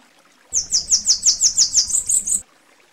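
A Bananaquit gives a thin, very high, buzzy song of about ten rapid sibilant notes over two seconds, ending in a slightly harsher trill; nothing else is heard.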